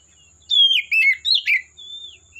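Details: Forest-dwelling wild Oriental magpie-robin giving four loud phrases of sweet, downward-sliding whistles with rapid twitters, ending in a long thin level whistle.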